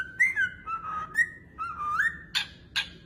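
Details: Parrot kept as a pet giving smooth sliding whistles that dip and rise, ending with two sharp clicks, against a faint background hum.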